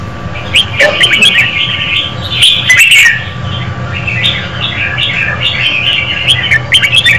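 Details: Female red-whiskered bulbul singing to stimulate a male: warbled, slightly buzzy phrases in a steady stream, with sharp clicks and a low background hum.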